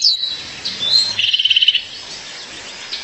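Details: Female violaceous euphonia calling her mate: thin high whistled notes sliding downward, then a quick even trill of about a dozen short bright pulses, followed by faint high notes over quiet background hiss.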